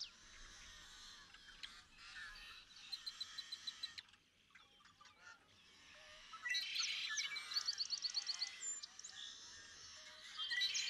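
Cinnamon Teal giving bursts of rapid, rasping chatter, several notes a second, with a busy background of other birds calling.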